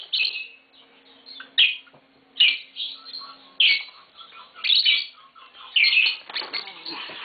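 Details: Pet green Fischer's lovebirds giving sharp, scratchy chirp bursts roughly once a second, with faint softer twittering in between.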